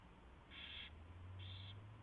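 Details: Owl at its nest during a night-time mouse delivery and feeding, recorded February 24, 2016 at 4:21 AM: two short, harsh, hissing bursts about a second apart over a steady low electrical hum.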